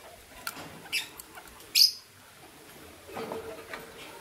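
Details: Green violin lovebird couple heard in the morning: two short, piercing high chirps about a second apart, the second louder, then faint softer twittering over a quiet background.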